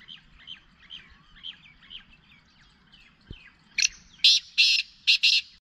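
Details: Black francolin (black partridge, kala teetar), its Ghangas voice: soft repeated chirps, then loud harsh rasping bursts in quick series, with faint low rumble beneath.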